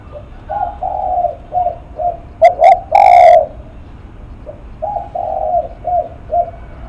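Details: Loud spotted dove phrase of two short notes and a long coo stands out among softer, lower-level coos running through the background, in the lắc mặt style.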